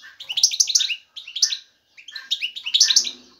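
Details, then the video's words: Male European goldfinch ready to mate, singing to attract a female; loud, dense bursts of tinkling twittered notes in three phrases separated by short silences. "ذكر الحسون جاهز, يبحث على الانثى للتزاوج"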